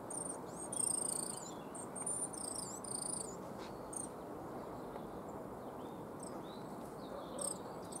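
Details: A Coal Tit in a yew tree in a Cambridge, UK yard on 12 March 2015 gives thin, very high squeaky notes in quick bursts over rushing hiss, just before a sparrowhawk landed about 10 metres away.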